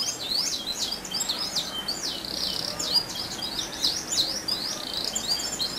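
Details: ['Canary lure song for provoking other canaries. A continuous stream of high, quick, twittering up-and-down chirps runs throughout, with steady background hiss.']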